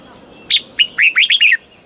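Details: Red-whiskered bulbul in the southern master-song style, played to stimulate birds and teach chicks: a sharp opening note followed by a fast, rolling string of fluty whistled notes ending in a downward slide.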